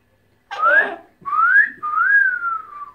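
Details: A pet cockatoo that also says hello, speaks Greek and laughs gives three clear, rising whistles, each sliding upward and the last drawn out and falling slightly; no other sounds intrude.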